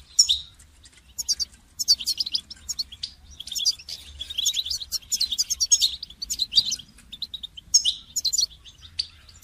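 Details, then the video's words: Extended goldfinch song used in song training: near-continuous twittering, rapid chirps and tinkling trills, rising and falling in loudness across the phrases. "goldfinch song training"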